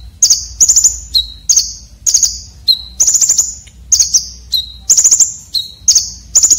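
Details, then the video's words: Red-breasted konin, coarse and sharp fill-in used as a training model for contest birds. Steady run of very high, trilled chips in tight bursts, interspersed with brief lower whistles, nearly continuous. "KONIN Dada Merah isian Kasar tajam"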